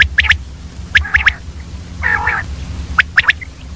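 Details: Common quail calling in the early morning: sharp, liquid three-note phrases, repeated roughly every second or two, with a brief harsher nasal call between and a low background hum.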